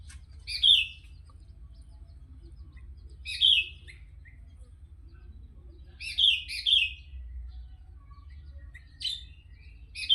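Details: Sooty-headed bulbul singing actively, giving short, clear, bubbly whistled phrases every two to three seconds, some in quick pairs, with quiet gaps and a faint low hum between them.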